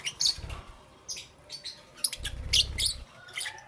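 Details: Lovebirds in the morning giving sharp, high chirps and squeaks in uneven bursts over a low rumble of background noise.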